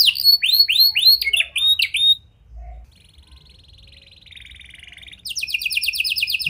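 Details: Lure recording of a vigorously singing canary whose song borrows prenjak and lovebird phrases: rapid sweeping chirps at first, then a pause, a soft buzzy trill, and finally a loud, fast, ringing trill.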